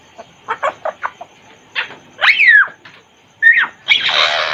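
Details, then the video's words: Caged Congo grey parrot voicing soft short clicks and mutters, then a loud arched whistle, a brief squawk and a harsh raspy noise at the end. "african grey parrot talking in cage | Talking congo grey parrot"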